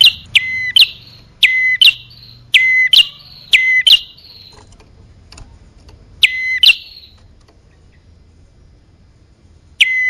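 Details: Bar-winged prinia lure recording meant to attract male and female birds: loud, sharp paired notes, each a bright rising stroke then a flat whistled tail, in bursts separated by quiet gaps.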